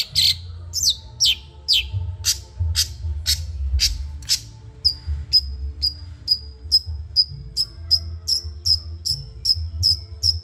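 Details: Training song of a caged Madura long-tailed shrike: first a series of downward-sweeping harsh notes, then a run of short high ticks repeated about twice a second, low hum beneath.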